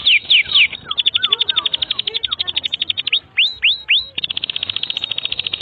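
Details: Canary song, a long continuous tutor recording (masteran) for young canaries and ones that have stopped singing: opening downslurred whistles, then a fast, even trill of high notes about four per second, broken by sweeping upward slurs and a second trill.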